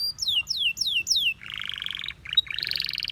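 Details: Canary giving four descending whistled slurs followed by a harsh buzzy rattling phrase and a second grating burst.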